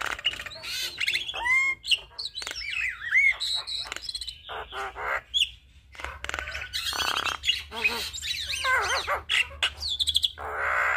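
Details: Javan myna in full song, used as a tutor and trigger for other starlings: a long, dense medley of chattering clicks, sweeping whistles, wavering notes and rasping bursts with brief pauses, over soft background hum.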